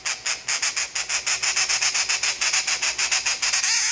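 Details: Hand-reared two-month-old grey treepie chick, found by a roadside, begging while being hand-fed: harsh, rasping bursts repeated rapidly, about three to four per second, in a steady run.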